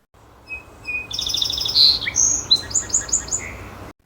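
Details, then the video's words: Song Sparrow song: a few clear introductory notes, a bright buzzy trill, then a rapid run of sweet chirped notes ending in a jumble, all high-pitched. "the song of song sparrows is familiar across North America"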